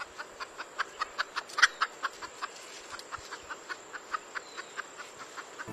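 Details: Red junglefowl (Gallus gallus) giving a steady run of short, hen-like clucks, about five per second, over a faint continuous high hiss.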